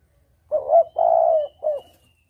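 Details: Clear spotted dove cooing, used as a hunting lure: a three-part phrase with a short rising note, a long steady coo and a brief closing note, against silence.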